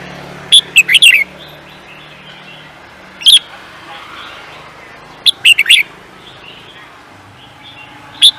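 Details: Bird used in singing races giving quick, high, chirping phrases: a run of four notes, a lone note, another four-note burst, then a final single note, spaced irregularly over about eight seconds.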